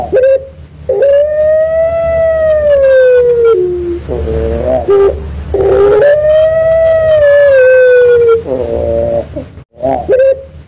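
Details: Puter pelung dove with a wolf-like voice, kept to lure other doves: long, smooth, howling coos that rise slightly and then slide down over about two and a half seconds, with shorter wavering notes between them.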